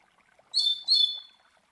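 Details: Double-collared Seedeater (Coleiro), a master bird, song used for teaching young birds the classic Tui Tui Zel Zel style; two short high whistled phrases in quick succession, quiet background.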